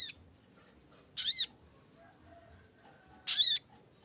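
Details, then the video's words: Lesser green leafbird calling to lure a rival: two loud, harsh, high calls with stacked downward-curving tones, each lasting about a third of a second, two seconds apart, over quiet background. "kicau sogok ontong memanggil lawan"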